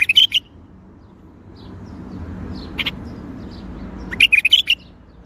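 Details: Bulbul song in the Baghdadi style: a quick burst of bright warbled notes at the opening, a lone chirp midway, and another rapid run of five or six fluty whistles near the end, over a soft hum.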